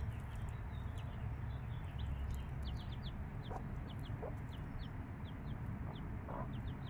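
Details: Five-day-old chicks with their mother hen: many thin, high downslurred peeps repeated in quick irregular runs, a few short low clucks from the hen, over a steady low rumbling background noise.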